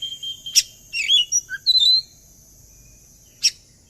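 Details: Oriental magpie-robin lure song meant to get other birds singing along: a few sharp high chirps and short whistled phrases, then a pause and one more sharp note.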